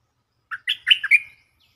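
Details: Stripe-throated bulbul song used as a lure, from a cage bird: one short warbled phrase of about five quick, rich notes that rise and fall, ending in a slurred, trailing whistle, with silence around it.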